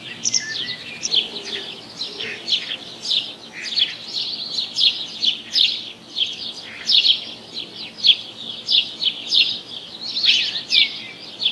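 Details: Little owl on 30 June 2024, giving a dense run of raspy, hissing high bursts in quick irregular succession, some overlapping, with a faint lower whistle near the start.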